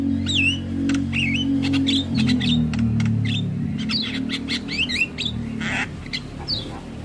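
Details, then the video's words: Starling training song to coax birds into singing: curling whistled notes and quick chirps repeated over a constant low droning hum, with a short rasp near the end. "MAsteran & Pancingan Segala Jenis Burung Jalak Wajib Langsung Buka Suara"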